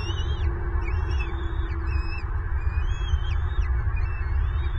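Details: Southwest Florida bald eagle nest, 25 February 2023: an adult feeding a chick grows angry with both young. Short, high whistled notes with slurred upward and downward inflections come in bursts above constant low wind-like noise.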